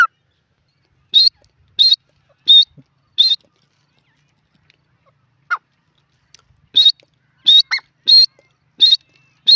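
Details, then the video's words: A francolin (teetar) gives loud, harsh, high-pitched notes in two runs, each note repeated about every three-quarters of a second, with quiet pauses between. "dakhni teetar ki voices 🔥irani teetar ki awaz"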